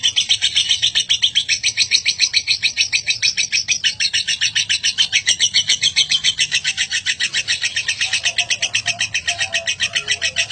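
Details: Lovebird ngekek: a drawn-out chatter, lasting over a minute in full, used to train other birds. Buzzy, shrill pulses come in a fast, regular rattle without pause throughout, with a faint low hum underneath.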